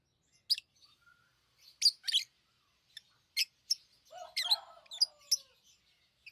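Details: Lovebird chirps: sharp, clipped squeaks spaced apart, then a denser chattering patch mixed with a lower, drawn-out whining tone that slides downward.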